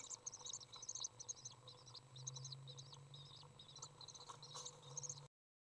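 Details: Common swift nestlings in a nest box on 18 June 2011 beg with rapid, high-pitched, buzzy chittering in quick bursts as a parent enters to feed them, over a steady low electrical hum.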